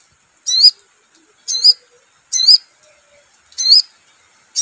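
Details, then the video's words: Sogon bird singing vigorously: sharp, high, twisting whistled phrases, each about a quarter second long, repeated roughly once a second with silent gaps between them. "SEKETIKA LANGSUNG NYAUT GACOR DENGAR SUARA PANCINGAN SOGON"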